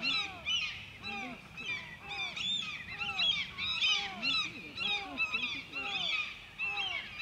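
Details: A white-tailed eagle at Grönvik, Ornö, on 16 July 2024 calls with fast, overlapping arched yelps, close to two per second, forming a dense, continuous chatter with a few lower slurred notes.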